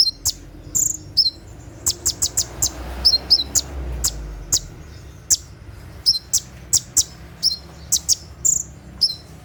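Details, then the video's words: Night-time 'tembakan' song from a brown-throated sunbird (kolibri ninja): thin, very high chips and doubled chirps at irregular intervals, with a soft low rumble partway through. "SUARA TEMBAKAN KONIN SAAT DIMALAM HARI"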